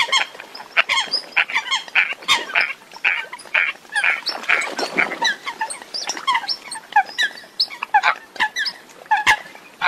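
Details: A foreign recording of Eurasian coots, described as a call not yet heard in Vietnam: a flock gives continuous short, harsh honks and clucks, many voices overlapping throughout.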